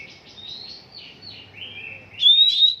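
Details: Oriental magpie-robin under song training: soft, quiet warbling for two seconds, then a sudden loud, clear high whistle with a brief flourish at the end.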